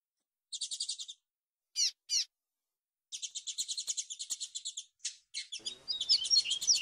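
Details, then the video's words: Double-collared seedeater giving the 'flautado' fluted song used for bird training, edited to remove noise: fast buzzy trilled phrases, two sharp notes, a long rapid trill, then a sweeter varied warble. "PAPA CAPIM GREGO FLAUTADO BELO CANTO ÓTIMO PARA ADESTRA"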